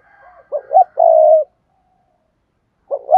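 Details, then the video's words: Spotted dove cooing in thúc gù style for luring wild doves: two short hoots run into a long, steady low coo, then after a pause another pair of hoots begins. "Tiếng chim cu gáy thúc gù sung, chuẩn dùng kích bổi"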